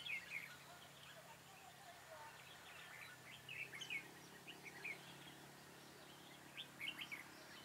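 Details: Red-whiskered bulbul singing as a trapping decoy on 4 February 2017: short, bright, twisting phrases at irregular gaps over a low steady hum, with a brief voice at the start.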